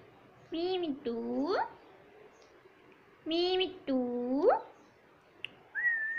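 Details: Pet rose-ringed parakeet repeating the mimicked words "Mummy Papa": two paired phrases, each a short level syllable followed by a longer upward-sweeping one, then a brief high whistle at the end.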